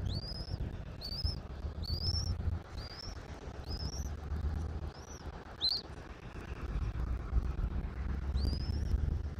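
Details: Bald Eagle at its nest in Southwest Florida, picked up by a nest camera on 1 April 2024 at 11:41. Thin, high whistled notes climb sharply and then level off, about one per second, over a steady low wind rumble.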